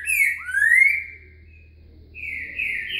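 Green-winged Saltator sings rich, clear whistled phrases, one slurring down then sweeping upward, and after a short pause a brighter whistled burst, over a faint low hum.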